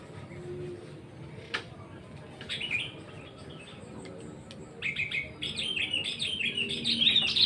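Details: Sooty-headed bulbul singing: after scattered clicks and a quiet start, short bright warbled phrases come in bursts, growing louder and denser toward the end.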